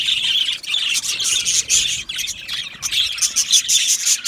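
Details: Budgies in an aviary, a crowd of chirping birds with short squawks and a few clear whistled notes rising above the dense chatter.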